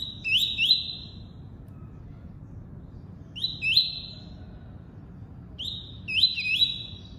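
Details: Double-collared seedeater singing the tuí-tuí song type: three bursts of bright whistled notes, each a short rising sweep leaping upward and then holding a steady high tone, spaced about three seconds apart over a low background hum.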